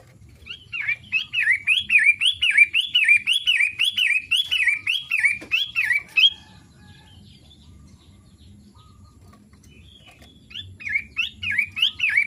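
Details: Daily song of a long-tailed shrike, a rapid series of looping whistled notes repeated almost twice a second for about five seconds, then several seconds of near silence before a second brief burst of similar notes.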